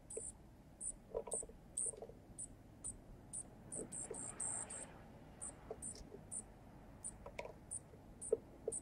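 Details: Baby junco fed by a male junco on a balcony bird feeder: faint, very high, thin squeaks repeated in loose runs, a brief cluster in the middle, with quiet tapping sounds.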